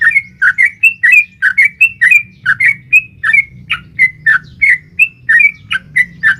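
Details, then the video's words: Sooty-headed bulbul, female calling to a male, in the long 'ropel' style played to excite caged birds; busy run of sweet whistled notes, some rising and some dipping, delivered almost without pause above low background rumble. "SUARA trucukan gacor ROPEL PANJANG pancingan trucukan agar bunyi"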